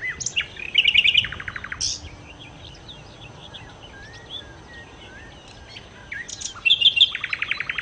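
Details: Nightingale song, the bird known as sikatan londo: bursts of sharp clicking notes and rapid rattling trills at the start and end, with softer scattered warbles and whistles in between.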